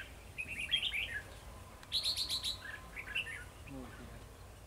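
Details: Decoy red-whiskered bulbul singing a fighting song while trapping rivals, 2 December 2020: scattered warbled notes, a burst of rapid clipped notes near the middle, then softer twittering, with low background hum.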